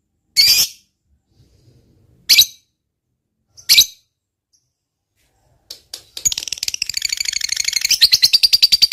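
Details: Lovebird used as a provoking bird for other lovebirds: three separate sharp high squeaks, then a burst into a fast, rolling high-pitched 'ngekek' chatter that runs to the end.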